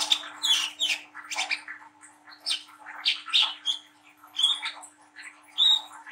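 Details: Young Brown-throated sunbird with speckled juvenile plumage chattering rapidly: high squeaky twitters and short sharp whistled notes, several sweet piercing accents near the end, over a faint steady hum.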